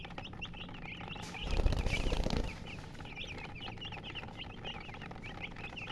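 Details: Chickens peeping steadily in quick, wavering high notes, briefly masked by a loud rustling, thumping burst in the middle, then continuing over low hum.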